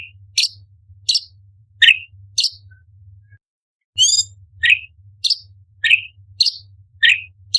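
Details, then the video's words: Cucak cungkok (orange-bellied leafbird) delivers clipped, rising chirps at intervals of about half a second, interrupted once by a short nasal buzz, over a steady low hum. "Cucak Cungkok Istimewa ~Tembakan Istimewa Pedas - Burung Masteran Lomba - Orange Bellied Leafbird"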